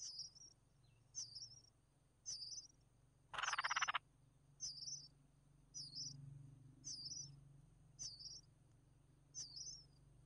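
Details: Chicks of the red-whiskered bulbul, fed by their mother, give high, thin wavering squeaks repeated about once a second, with one loud harsh rasping burst partway through and a low hum underneath.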